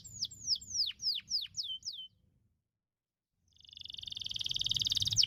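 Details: Canary, played to encourage canaries to sing: about six loud falling whistles, a silent gap of over a second, then a rising, rapid buzzy trill.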